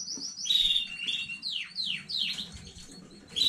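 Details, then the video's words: Newly bred domestic canary singing on 15 May 2019: bright high notes, then a series of loud downward-sweeping whistles, each about half a second long, ending with a sharp high note; soft background rustle. "KANARYA ÖTÜŞÜ YENİ ÜRETİM HANEDEN 15.05.2019 CANARY SINGING 4K"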